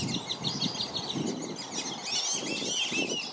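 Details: Black-bellied whistling ducks in Lakeland, Florida, with parents shielding young that cannot yet fly far; short repeated high whistles give way to louder, slurred two-note calls over steady low water sounds.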